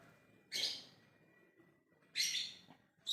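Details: Lovebird giving ngekek calls to summon other birds: two harsh, shrill, buzzy bursts about one and a half seconds apart, each fading out, with a faint steady high tone in the background.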